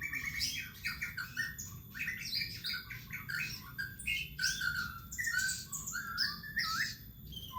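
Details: White-rumped shama song used as a lure for shamas kept at home: a dense, varied stream of loud whistles, chatters and sharp notes with almost no pauses, sounding rich and busy.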